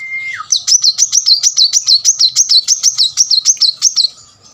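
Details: Plain-throated sunbird in full, energetic song used to coax reluctant birds into singing; a brief whistle leads into a fast, even trill of high zigzag notes, about three per second, for four seconds.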